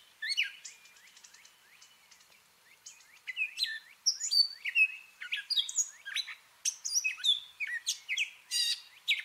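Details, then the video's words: Gray catbird mimicking other birds: a soft rattling chatter at first, then louder jumbled whistles, squeaks and harsh chips in rapid, unrepeated phrases. "Catbird sounds: mimicking & singing song"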